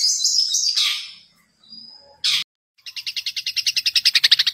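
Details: Long-tailed shrike mimicking other birds as song material: a harsh buzzy rasp, a short burst, a pause, then a fast, accelerating series of clipped chirps repeated about three per second, growing louder.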